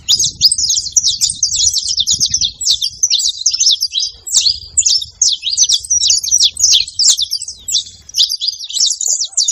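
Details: Saffron finch, the canário-da-terra, singing on a farm: an unbroken, fast chatter of piercing high chirps and trills lasting throughout, with faint low noise early on.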